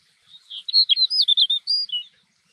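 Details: A snow bunting sings at Jökulsárlón Glacier Lagoon, Iceland: one short, sweet warbled phrase of about a dozen quick, clear high notes lasting under two seconds, in otherwise quiet surroundings.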